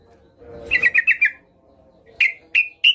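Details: Female Yellow-vented Bulbul calling a male, used to provoke a rival into calling; a quick run of five chirps, a pause, then three louder, well-spaced sharp notes.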